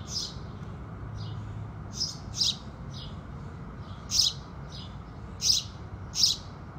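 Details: House sparrows at sunrise, calling with the rising sun: bright, sharp chirps in short bursts every second or so, some doubled, over a steady low background hum.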